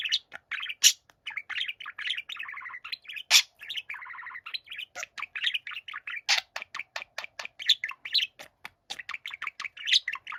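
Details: Two pet budgerigars, the younger singing as the older quietly listens: long, varied warble of chirps and grating buzzy runs, ending in a rapid series of sharp clicking ticks mixed with squeaks.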